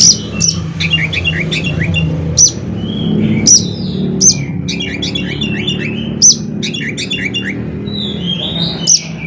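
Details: Oriental magpie-robin with 'konslet' fill song meant to spur other magpie-robins into full song: quick runs of high chirps and short slurred whistles, loud sharp notes every second or so, low rumbling hum beneath.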